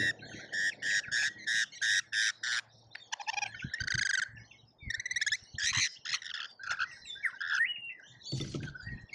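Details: Lorikeets in a colourful feeding frenzy at a feeder in Australia, captured by a feeder camera: harsh, buzzy screeches in rapid bursts, several in quick succession, then scattered chattering squawks from the crowded birds.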